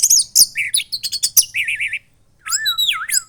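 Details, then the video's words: Young red-headed thrush (orange-headed thrush) kept in a cage in Klaten, Central Java, singing hard; dense high chatter, a series of wavering warbled notes, a brief pause, then looping whistles. "Anis Merah Gacor Teler Doyong"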